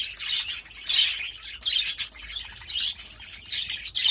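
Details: Mating pet budgerigars give high, scratchy chirps and squawks in quick, uneven bursts that run almost without a break.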